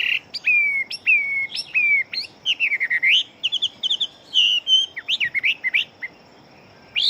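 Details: Chinese hwamei, a fast-singing fighting-type bird with a big build, delivering loud varied whistled phrases: clear slurred notes, rising and falling sweeps and quick trills, separated by brief pauses, with a short gap near the end.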